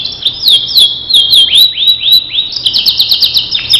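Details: Canary of the starblue type, recorded as training material for other canaries, singing loud high whistled notes that sweep and slur, then a quick series of rapid repeated trills.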